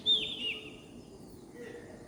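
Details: In the morning, a bird gives a couple of high, sharp chirps at the start, then a fainter high note follows over a low, steady background hum.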